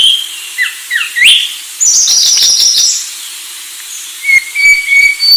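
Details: Anis Sulawesi song: a few quick rising whistles, then a dense burst of high buzzy notes, then scattered thin level whistles.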